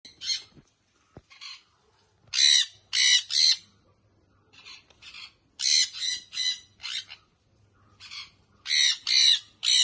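A young sun conure gives harsh, raspy squawks, often in quick doubles or triples, with short pauses between bursts.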